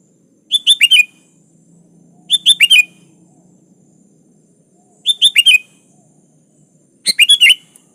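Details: Chatty sooty-headed bulbul calling out to a rival, in training material without fill-in songs; short rapid bursts of four bright, gurgling notes repeated every two to two and a half seconds, four phrases in all.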